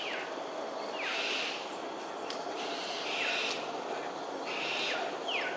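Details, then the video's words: Morning aerial display of cockatoos over Sungei Ulu Pandan in Singapore, 13 January 2022 at 7.43 am. Three raspy, scratchy screeches roughly every two seconds, each opening with a quick downward slur, against continuous insect hiss. "Cockatoos "Aerial Display""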